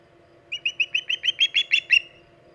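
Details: Osprey calling at the nest on Hog Island, August 2019: ten quick, whistled chirps over about a second and a half, growing louder toward the end.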